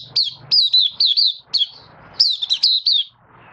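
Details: Oriental white-eye, known locally as Mata Puteh, a Malaysian bird kept in the hobby, opening into song during a minor moult, 24 August 2023: high, sweet, slurred whistled phrases dipping and rising, in bursts with short pauses.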